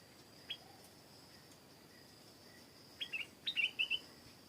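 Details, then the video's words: Stripe-throated bulbul singing in a garden, a lone thin note early on, then a rising run of quick chirpy, slurred notes near the end against faint steady insect buzz. "เสียงนกดอกแตงEp.239 เจ้าของสวนบอกมีนกร้องดี พานกไปเช็คไม่ได้ยินเสียง(Stripe-throated Bulbul)"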